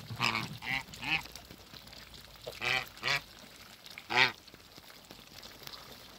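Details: Mature Toulouse goose pair meeting after being moved: short, nasal, quacking honks in separate clusters with quiet gaps between, against a faint steady hiss.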